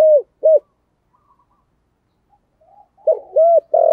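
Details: Spotted dove giving a loud 'thổ' style cooing call that carries across the neighbourhood. Low, hollow coos come in a short phrase, with a rising-falling middle note and a long final coo, then a pause. Faint softer notes sound in between.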